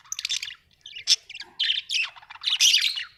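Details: Pet budgies in a house producing a rapid run of buzzy, squeaky warbles and sharp chirps, nearly continuous and ending in a loud, rasping burst.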